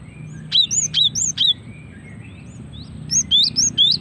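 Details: Female cinereous tit calling as a lure to get others singing: a series of four clear sweeping chirps, a pause with faint twitters, then another run of four rising-falling high notes.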